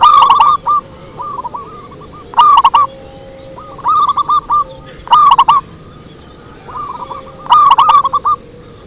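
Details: Perkutut lure song with many rapid, rolling coo phrases. Loud near bursts alternate with fainter answering phrases almost continuously over about nine seconds.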